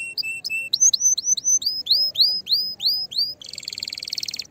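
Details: Canary song meant to stimulate other canaries to sing and excite the female for mating: steady tones, then a series of rising whistled sweeps about four per second, ending in a fast buzzy trill.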